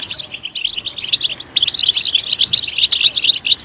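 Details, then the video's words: European goldfinch singing loudly to stimulate others of its kind: a quick run of chirps that grows louder and denser, becoming a tinkling, slightly buzzy twitter. "Stimulating a goldfinch clip to make it chirp in a loud and wonderful voice"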